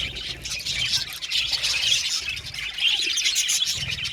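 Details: Many budgerigars singing together, a dense, continuous chatter of high chirps, twitters and warbles with no pauses, pulsing slightly louder and softer throughout.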